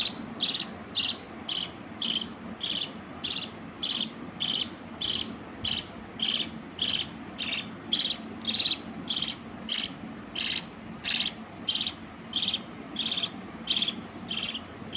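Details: Young budgerigar chicks give harsh, raspy chirps, repeated steadily almost twice a second.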